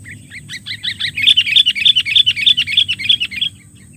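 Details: Sooty-headed bulbul calling to lure and challenge rivals: a fast run of bright, chirpy notes, rising to a steady string of sharp, ringing whistles repeated about three times a second, with a faint low rumble beneath.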